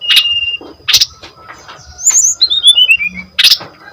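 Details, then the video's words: Sparser phrases from a brown-chested jungle flycatcher used as a lure recording: a few sharp bursts and a descending series of clear high whistled notes, with quieter pauses between. "DENGAR SUARA SRDC GACOR INI PANCINGAN JITU MASTERAN SRDC BAHAN"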